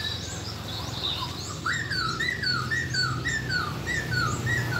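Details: White-crested laughingthrush kept in captivity in Vietnam, trained for song in 2020: soft down-slurred whistles repeated about every half second over a steady background hum.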